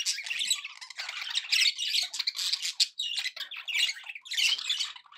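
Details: Cheerful budgie chatter: rough warbling and squawks packed tightly together, rising in loud bursts, with a short dip near the middle.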